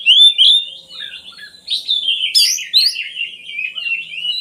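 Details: Oriental magpie-robin singing to draw out lazy birds: a steady flowing warble of slurred whistles, with a sharp high burst midway and continuous varied notes to the end.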